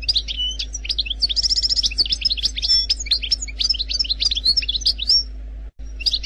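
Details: Algerian goldfinch singing the khelwi style of song, stated as free of mistakes: a rapid, continuous stream of high twittering notes, buzzy trills and sharp upslurred chirps, briefly cut near the end, over a steady low electrical hum.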